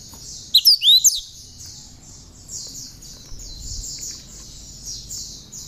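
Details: Tame, hand-raised cinereous tit singing a song filled with bar-winged prinia imitations, kept as a master bird to train others: a short burst of sharp, swooping whistled notes over a steady high buzzing chorus.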